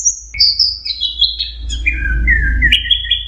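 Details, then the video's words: Orange-headed thrush singing teler style: a high whistle followed by a chain of gliding notes stepping downward, ending in a lower drawn-out slurred phrase, with steady low background noise. "Suara Burung Anis Merah Teler"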